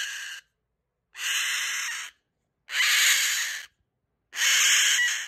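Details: Goffin's cockatoo; scream; seeking attention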